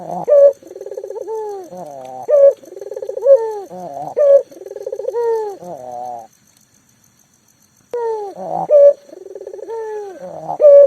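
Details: Vigorous local collared dove, kept as a lure to set mute doves calling, gives repeated bubbling pulsed coos punctuated by bright, loud upslurred notes, with a silent pause midway before resuming.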